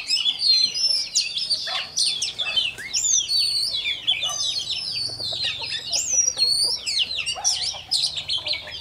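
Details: Oriental magpie-robin, a wild-caught bird, in its morning voice practice: a flowing stream of rich whistles, quick upslurs and harsh chips, densely packed with only tiny pauses, over a faint low hum.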